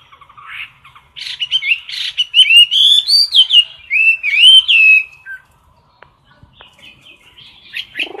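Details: Chinese hwamei in a cage giving a competition song close to the recorder: rapid, loud phrases of slurred whistles and sharp chirps, swooping up and down, then a quiet pause with faint twitters.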